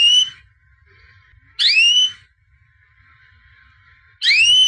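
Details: A white albino canary, 2017 champion, gives three short rising whistled notes spaced roughly two and a half seconds apart, with quiet between them.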